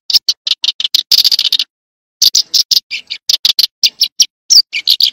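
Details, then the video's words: Eurasian tree sparrow chirping: sharp, high, clipped notes in quick bursts, a dense cluster early on, then a half-second silence before irregular chirps resume with some lower, harsher notes. "tiếng chim sẻ đồng"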